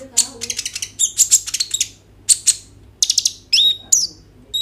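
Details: Kolibri ninja sunbird singing in full 'gacor' style, an Oppo A37f recording played to trigger konin song: dense high buzzy bursts and stuttering trills, scattered piercing whistles and thin downslurred notes, low steady hum underneath.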